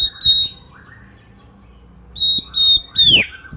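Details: Oriental magpie-robin's morning song, said to prompt other magpie-robins to sing; a few steady high whistles, a pause, then a sharp falling swoop and a short rising note.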